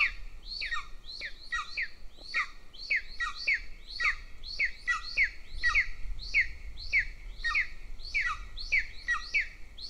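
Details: Nest-camera golden eagle chick in Northern Estonia keeps begging while its elder sibling is fed by the female; rapid run of high, downslurred chirps, sometimes paired, coming about twice a second for ten seconds over soft background noise.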